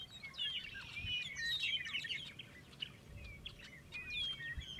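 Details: Western meadowlarks sing in February at Bosque del Apache: overlapping, flutelike whistles slurring down into bubbly, gurgling phrases, backed by calling red-winged blackbirds and a low rumble beneath.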